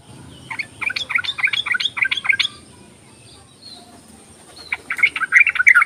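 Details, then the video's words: Yellow-vented bulbul chatter, used to lure silent bulbuls into calling. A steady series of quick stuttering chirps is followed by quiet, then a loud, bright, tumbling burst at the end. "ropelan dan panggilan burung trucuk ini sangat memikat bagus buat pancingan trucuk malas bunyi"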